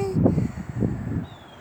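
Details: A wild tricolored heron gives low, rough, croaking grunts in two short bursts about half a second apart, with quiet outdoor background.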